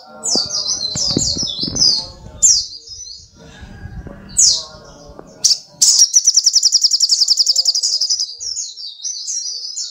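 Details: Active brown-throated sunbird (sogok ontong) mixing high chirpy squeaks and sliding whistles with pauses, then a long fast rattling trill of evenly spaced sharp pulses, closing with more high twittering; some faint knocks in the background.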